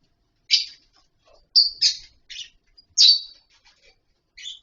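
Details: Lovebirds in a colony setup with wooden nest boxes and mud bowls, kept in near-natural surroundings; sharp, high chirps in short separate bursts with gaps between, a few faint ticks in the background.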